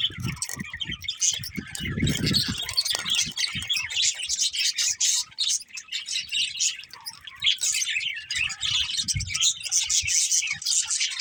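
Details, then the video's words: Budgerigars chirping for a long stretch, dense high chattering from several birds, with a burst of low rumbling thumps early on and another briefly later. "Cute Budgies Chirping Sounds"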